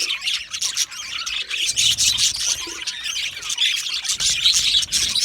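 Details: Several budgerigars in an aviary, a dense, continuous chatter of high chirps, squeaks and warbled notes overlapping throughout.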